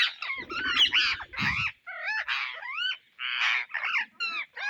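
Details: Indian ringneck parrots searching for seeds: a run of shrill, grating squawks, several with upward-sweeping and arching notes, mostly back to back with short pauses, and low rustling early on.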